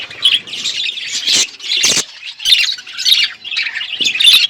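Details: Pet budgerigars on a winter morning give clustered bursts of high squawky chirps and warbles, roughly every half second, with a few sharp clicks between.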